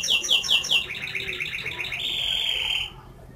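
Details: Canary whistling: four loud rising notes, then a quick series of repeated shorter trilled notes and a steady rolling tone before the song stops.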